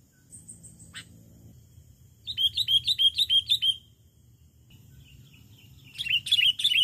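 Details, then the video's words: Sooty-headed bulbul lure song for attracting wild birds: bursts of rapid, bright chirping notes repeated about three per second in two short phrases, with a faint high whistle at the start and a low background hum. "Spil Full Pikat Burung Kutilang Kutilang Gacor MENGGARUDA!!Point Raja Kutilang Liar"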